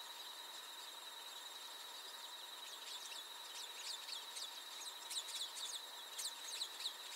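Plumbeous Rail giving rapid, sharp, high squealing notes that start after a few seconds and build in intensity, over a steady high-pitched insect drone.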